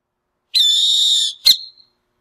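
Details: Burrowing owl giving a single harsh, hissing screech lasting under a second, followed by a brief rasping burst; no other sounds.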